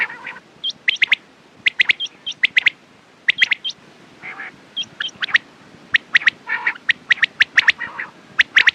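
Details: Several quail calls for morning and night: rapid bright chips in pairs and triplets, some higher squeaky notes and occasional rough rasping bursts, nearly continuous throughout.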